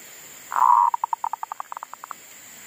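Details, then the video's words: Garden decoy zebra dove, back to singing after a wild monkey disturbance silenced it: one drawn-out cooing note followed by a quick series of about fifteen short, evenly spaced staccato beats. "Pikat andalan sudah mau manggung lagi di kebun,Sehabis di ganggu MONYET LIAR !!,sempet mogok bunyi"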